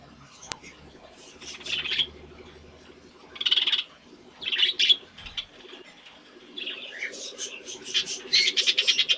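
Budgerigars chatter in bursts of high, scratchy chirps and rapid warbling notes.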